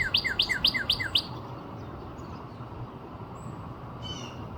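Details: Northern cardinal near Nashville, Tennessee, recorded on 4-17-26: five quick, clear, downslurred whistled notes in about a second, evenly repeated, followed by a quiet stretch with faint distant chirps and a brief higher note near the end.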